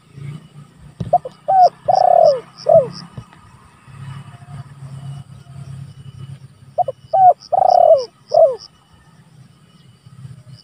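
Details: Calling spotted dove, recorded as a lure for rival birds and as a training tape: two cooing phrases about five seconds apart, each of quick hoots, one long swelling coo and a dropping last note, over faint low rumble.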